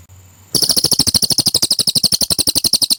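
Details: Cililin song kept as a training recording for competition birds: after a brief quiet start, a rapid burst of sharp, high, metallic chips, about twelve per second, runs on without a break.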